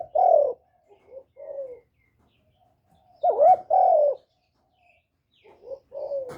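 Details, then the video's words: Spotted dove kept as a decoy bird, cooing to stimulate other caged doves: strong drawn-out falling coos mixed with softer short low notes, with a pause between groups and no other sounds. "Tiếng chim cu mồi GÁY GỌI + THÚC + GÙ kết hợp kích bổi, Cu gáy mồi cây gáy, cu đất gáy, cu cườm gáy"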